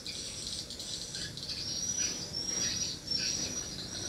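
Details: High, thin twitters from swiftlets at a mini swiftlet house run on continuously, with a sharp whistled thread above the chatter.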